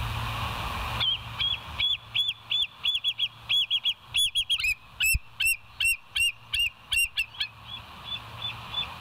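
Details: Night calling from bald eagles at their West End nest, 02:31 on 09/11/2023: a long series of shrill, clipped chirps at about three per second, growing louder midway, then fading, with steady background hum.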